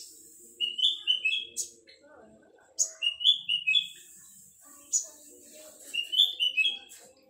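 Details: A young male olive-backed sunbird in full song gives short bursts of high, thin, slurred twittering notes, three phrases spaced a couple of seconds apart, over a faint low background murmur.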